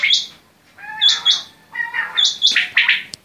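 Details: Quail calling in short bursts, clipped rasping notes and paired sharp high chips, some with a lower harmonic tone, repeated in irregular groups about every half second.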